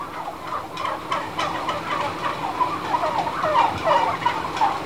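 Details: A flock of turkeys indoors in a growing house, giving rapid, irregular gobbles and chortles about three per second, the calls overlapping and swelling louder toward the end, with a constant low hum from the building.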